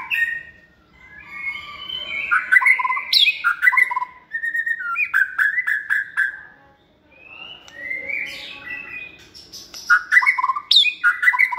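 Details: White-rumped shama kept in a cage for competition singing, second season and raised by hand from the nest. It delivers a long, varied song of clear whistles, slurred notes and rapid repeated phrases, with a short gap mid-way.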